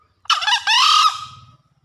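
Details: One crow from a green junglefowl recorded after heavy rain: a gritty opening burst, then a sustained buzzy note that trails away, with soft low rumbling afterwards.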